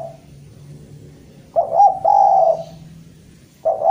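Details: Javanese spotted dove, a vigorously calling bird, calling to a rival: a low, mellow cooing phrase of a short stuttered note then a long drawn coo, with a new phrase starting near the end, over a faint low hum.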